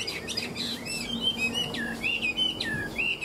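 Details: Chinese hwamei, tame and described as a strong fighter, delivering 'ngũ trường' five-phase song: bright, varied whistled notes, some swooping down and others curling upward, in a lively uneven sequence.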